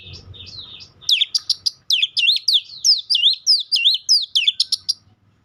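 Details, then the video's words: Oriental magpie-robin song: after a soft opening, a loud sequence of clear, looping whistles and sharp upward-sweeping notes, roughly two per second, delivered steadily for about four seconds. "Dengar kicauan Kacer satu ini dijamin langsung nyaut Kacer manapun"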